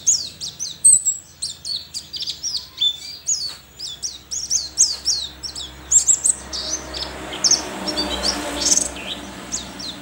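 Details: Competition white-eye from Sambas, West Kalimantan, delivers a long, fast series of piercing chirps and slurred whistles, dense at first, later more spaced, with a hiss of broadband noise toward the end.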